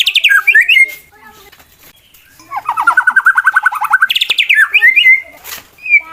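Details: Competition-class white-rumped shama singing to provoke rivals into fighting: loud sweeping whistles and a slurred note, a pause, then a fast buzzy trill of evenly repeated notes, ending in rising whistled phrases.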